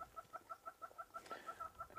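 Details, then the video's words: Red-billed hornbills calling very loudly in the background at a waterside spot with blacksmith lapwings, on a July sunset safari drive: a steady run of hollow clucking notes, about six per second, with a brief rustling burst; hornbill. "we can hear some very, very loud hornbills in the background."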